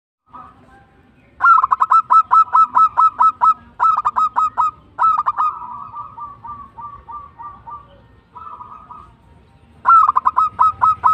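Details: Local zebra dove singing in the tumbak cucukan style: rapid staccato cooing pulses in runs of about ten notes, separated by short pauses, one run trailing into a softer rolling series.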